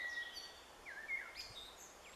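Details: Young Eurasian Wrens (Troglodytes troglodytes), 16 June 2013, give faint, thin, high squeaks and short slurred whistles, several overlapping in quick succession, over a soft outdoor hiss.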